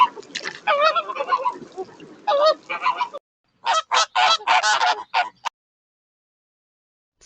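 Flamingos honk in goose-like bursts, a busy run of nasal calls, then a pause and about eight louder clipped honks in quick succession.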